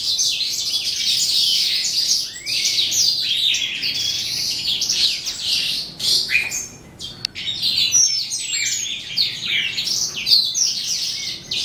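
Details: Eastern calandra lark (Melanocorypha calandra psammochroa) beginning its end-of-day song, a long flowing babble of scratchy chirps, quick trills and piercing whistles, intense and nearly continuous.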